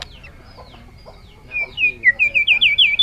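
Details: A bird, recorded in 2021, begins quietly and then gives a quickening series of high chirps. Each note sweeps down and then up, growing louder toward the end. Soft background noise runs underneath.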